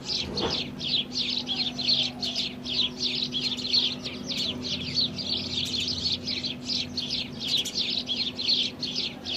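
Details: A flock of house sparrows (Passer domesticus) in India keeps up a dense, busy chatter of short, bright chirps, overlapping almost without pause, over a low steady hum.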